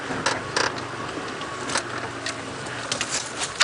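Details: Vehicle rumble with sharp clicks and knocks, and no animal calls.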